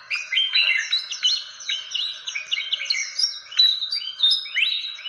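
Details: Fantail calls for luring birds: thin whistled notes sliding up and down, interwoven with quick chips in a steady, squeaky, varied chatter.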